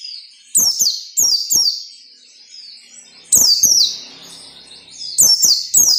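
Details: Captive-bird training song of a white-eye in the ngalas nembak style: clusters of two or three piercing, falling whistles, repeated roughly every two to three seconds with silent gaps.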